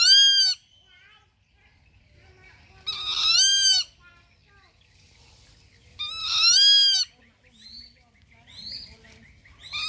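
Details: Rufous-winged buzzard giving three loud, harsh, arched calls, each about half a second to a second long and rich in overtones, spaced roughly three seconds apart, with fainter high chirps between them in an otherwise quiet setting.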